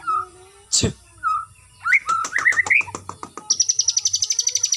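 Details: Farm-kept white-rumped shama, exercised outdoors routinely for stamina, gives clear whistled notes, then a rising warbled phrase, ending in a fast, high, rattling trill; one sharp loud click cuts in early.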